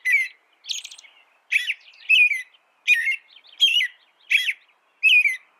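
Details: An American robin delivers bright, liquid phrases, some with high squeaky notes on top, spaced about every half to one second against silence.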